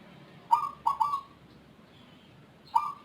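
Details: Unusual-voiced zebra dove, distinct from local and Bangkok birds, that sings often and at length: a three-note mellow coo phrase with a long, even final note, a pause, then the next phrase starting.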